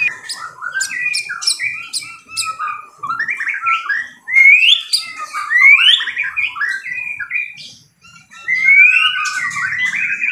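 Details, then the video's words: White-rumped shama fighter song with loud, piercing bursts: a series of high, clicking strikes, then swooping whistles and rich warbled phrases with brief pauses. "MURAI BATU FIGHTER TEMBAKAN KERAS"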